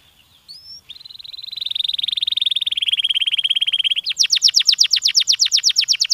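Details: A canary sings a stimulating song. After a couple of thin introductory notes comes a sustained, fast, purring trill at one pitch, then a loud burst of rapidly repeated falling sweeps.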